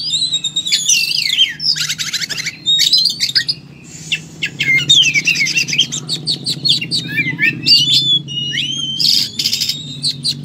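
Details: Singing oriental magpie-robin in full fighting style, stringing together wavering whistles, harsh buzzes and rapid chip runs, with a faint low hum underneath.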